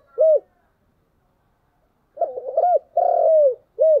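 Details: Spotted dove used as a decoy bird, calling in the morning: low, hollow coos. One lone note and a pause are followed by a stuttering run of short notes, a long drawn-out coo, then a final short coo, in otherwise quiet surroundings.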